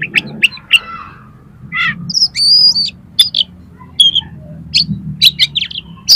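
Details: Kacer, the oriental magpie-robin, singing energetically with learned filler phrases for stirring competition birds: quick chirps, a rasping burst, then a long high wavering whistle and rapid scattered high notes over a low background hum.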